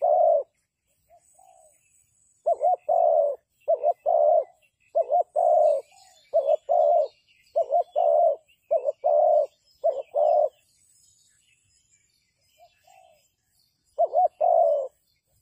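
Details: Spotted dove calling as a decoy for trapping, a long run of rapid doubled-note-and-coo phrases, a pause with a few soft notes, then calling resumes; faint twittering birds behind.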